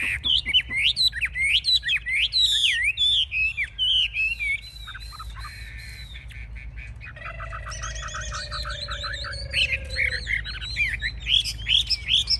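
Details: Caged Chinese hwamei, a fierce fighting bird, performing with wings raised high and tail fanned; loud, rich whistled phrases rising and falling rapidly, then quieter varied warbling with a steady low whistle and other chirps behind.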